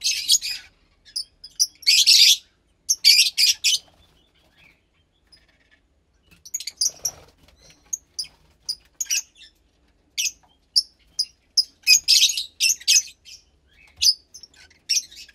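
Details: Young captive Fischer's lovebird chick about 15 days old, from a lutino and pastel blue pair, giving intermittent scratchy high chirps and short raspy bursts separated by silences, a faint rustle in between.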